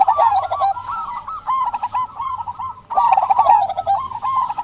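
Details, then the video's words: Local zebra dove singing vigorously, meant to coax silent doves to sing; dense overlapping mid-pitched coos and rolling notes in two bursts separated by a brief lull. "Perkutut lokal gacor buat pancingan perkutut pendiam agar bunyi"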